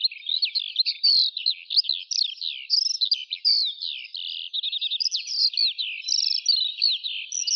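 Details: Eurasian skylark in sustained, rambling song of high warbles, buzzy trills and quick chirps strung together without a break.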